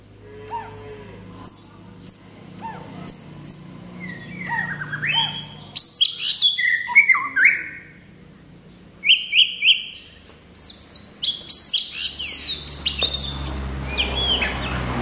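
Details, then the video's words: White-rumped shama singing: spaced single whistles at first, then bursts of bright, fast-changing whistled and chattering phrases separated by brief pauses, over a steady low background hum. "shama นกบินหลาดง"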